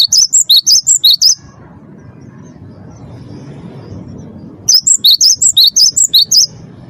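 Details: Energetic lure song of a champion Cinereous tit for getting caged birds to sing: two rapid bouts of high, repeated two-pitch notes, about eight each, split by several seconds of low background rumble.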